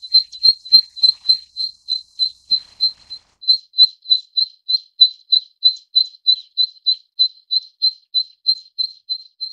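A Zitting Cisticola gives a long series of sharp, high 'zit' notes, about three a second and steady in pitch, with nothing else audible.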